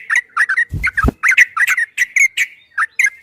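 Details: Yellow-vented bulbul giving fast 'ropel' song as training material for kept birds: crisp, chirpy, liquid notes delivered in short rapid groups, with two brief low thumps early on.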